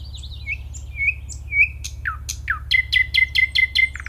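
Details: Nightingale song with low background hum: soft warbled whistles, two sharp falling notes, then a run of five rapid, ringing, repeated notes ending in a short churr.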